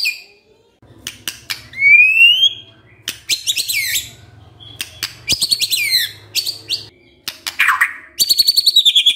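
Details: White-rumped shama kretekan intended to stir emotion: a brief high rising whistle, then buzzy descending chatter bursts and sharp clicks, ending in a fast rattle of high notes over a faint low hum.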